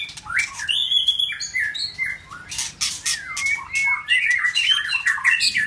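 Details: White-rumped shama, a new male challenging a rival, delivering a fast mix of sweet whistled notes, harsh squawky bursts and sharp broadband clicks, with a sustained whistle early on and dense rapid phrases throughout.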